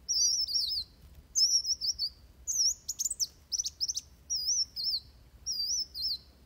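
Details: Van Hasselt's sunbird singing its fighting song for training birds: high, thin twisting whistles repeated roughly every second, broken midway by a quick series of sharp ticks.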